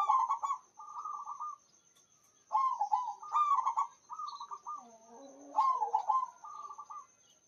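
Zebra dove giving soft, rapid bubbling coos in short phrases of stuttering notes, repeated with brief pauses; a faint steady high whine runs underneath.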